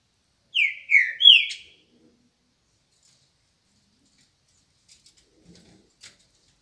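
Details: Green-winged saltator in the morning gives three loud whistled notes in quick succession, each falling in pitch, the third rising sharply before dropping, followed by near silence with a few faint ticks.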